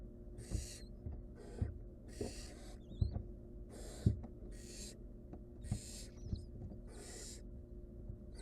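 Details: Barn owl at a wild nest, a mother helping a nestling choking on a rodent leg; rasping, breathy screeches come in uneven bursts about once a second, with faint thin squeaks between them.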